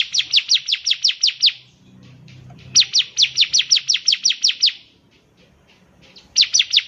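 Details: Bar-winged prinia singing persistently, recorded as a tutor for young birds: long, brisk runs of nine to twelve sharp, high-pitched, down-sweeping notes, about three per second, broken by short pauses.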